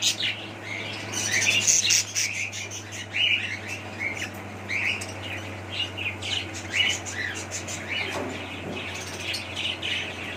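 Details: Pet budgies warbling and chirping for about ten seconds, busy overlapping short notes and occasional squawks, steady low hum throughout.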